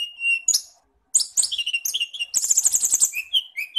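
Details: Songbird training recording for kacer (magpie-robin), cendet (shrike) and tledekan (flowerpecker): high, varied phrases of clear whistles, then a quick run of sharp repeated chips and trills, with a brief pause early on.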